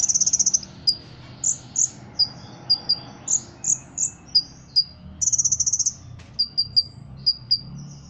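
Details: Ruby-cheeked sunbird from Cililin, competition-trained, opens and later repeats a fast, buzzy cricket-like trill, with high sharp chirps and whistled notes between the two trills.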